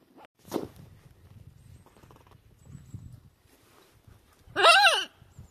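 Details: Playful pet macaws outdoors on a sunny winter day in February, just above freezing. A person speaks softly and there are faint rustles, then one brief, loud, harsh screech with stacked harmonics near the end.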